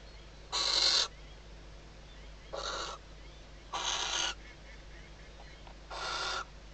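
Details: Female barn owl inside a nest box at Riet Vell Nature Reserve, Ebro Delta, at night, days before the first chick hatches, calling as the male lands on the outer perch before mating: four harsh, hissing broadband screeches, each about half a second, spread over six seconds.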